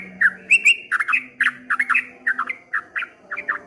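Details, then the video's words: Loud, slightly harsh chirps from a streak-eared bulbul singing 'ropel ngombak banyu', grouped in twos and threes at an uneven, lilting pace, with a faint low drone behind. "suara burung trucuk kebo bunyi ropel ngombak banyu"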